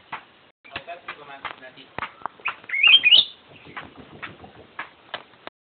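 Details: Black-crested bulbul singing: one short, bright, whistled warbling phrase that rises and twists near the middle, set among irregular clicking knocks and faint voice-like murmurs before and after.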